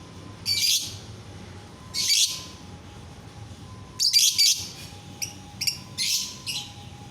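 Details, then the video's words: Singing lovebird meant to make others join in: repeated shrill, buzzy chirps and squawks, spaced at first, then bunching into rapid clusters, with a steady faint tone in the background. "bikin lovebird yang lain ikut bunyi"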